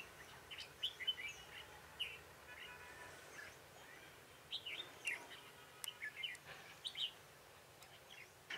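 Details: Red-whiskered bulbul heard on 21 March 2018 at a decoy trapping session; faint, scattered whistled notes and short chirpy phrases, clustering toward the latter half, against steady background noise.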